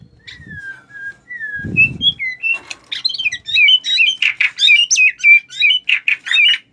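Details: White-rumped shama, a caged bird being provoked into fighting mood, singing: long whistled slurred notes falling near the start, then a fast varied run of sharp chirps, trills and whistles, plus a brief low thump.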